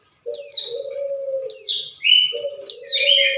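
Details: Hill prinia calling a rival, used as a lure: sharp, high, downward-sliding notes repeated about every second, with a steady, low, drawn-out tone between them and a brief buzzy phrase.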